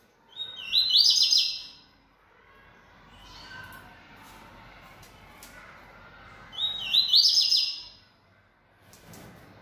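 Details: Two sharp, high song bursts from a caged Yellow-bellied Seedeater, called bold and singing heavily. Each phrase is a quick whistled lead-in and a chattering trill of repeated notes. A long quiet gap with soft room noise lies between them.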